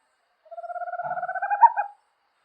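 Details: Small Amazonian owl, a night bird of the forest, giving a clean, rapid pulsed trill of about 1.5 seconds, with evenly spaced notes that swell slightly toward the end before stopping, in silence with no background noise.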